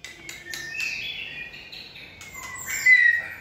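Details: White-rumped shama being trained for singing stamina in a 'lửa bó lông' excited state: clear whistled notes, some sliding and held, broken by sharp clicks, ending in a louder falling whistle.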